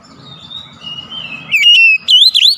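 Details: Oriental magpie-robin song used as a lure to make a reluctant bird sing: long, thin whistles drifting downward, then from mid-clip a burst of loud, rich whistled notes that swoop and wobble, with faint low hum beneath.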